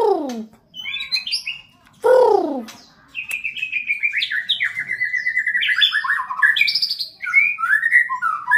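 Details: A white-rumped shama in training as a fighter opens with harsh descending rasps, then pours out a long rapid run of varied whistled and chattering notes that jump up and down in pitch.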